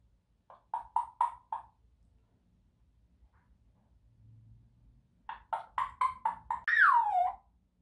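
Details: African grey parrot uttering a quick series of short clipped notes, then another burst of rapid notes. It ends on a loud whistle that sweeps downward. There is faint low background hum.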